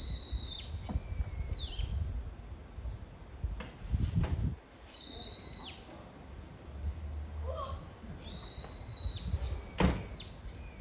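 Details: Brown-eared bulbul calling its mate: loud, harsh squealing notes in a stacked, arching series, given in four bursts about two seconds apart, with low rumbling background noise between.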